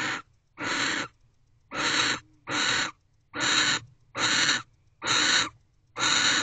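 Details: Nighttime in a barn owl nest box on 29 December 2023 as the returning male mates with the female. Eight raspy, noisy hiss bursts, evenly spaced a little under a second apart.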